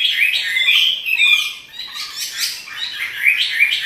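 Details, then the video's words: Caged Chinese hwamei in lively song while dancing: quick whistled runs and slurred notes, a short lull midway, then renewed rising whistles. "Burung wambi (hwamei) gacor menari"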